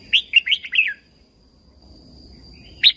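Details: Song of a caged red-whiskered bulbul from Thailand, played to stimulate other birds: one quick, bright phrase of four or five warbled notes with falling ends, then quiet before a single sharp note.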